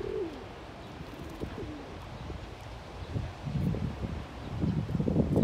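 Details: A displaying pigeon with raised neck feathers, dancing to win a mate, opens with a clear falling coo and a shorter one later, then rustling and thumping noise builds.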